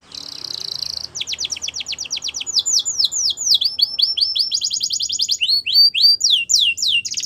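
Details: Canary with a high buzzy trill, then strings of rapid sharp notes, looping slurs and rolling trills changing every second or so, each phrase in quick repetition.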